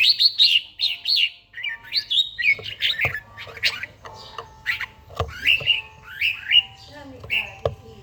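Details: An old red-whiskered bulbul with a forest voice gives its morning song in daily training: a fast opening trill of whistled notes, followed by varied warbled phrases rising and falling, with occasional clicks.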